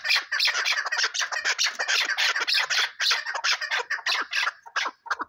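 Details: Chukar partridge in a loud, rasping, rapid burst of squawky chuckles, denser and higher than plain clucks, pouring out continuously before breaking into a few scattered notes at the end.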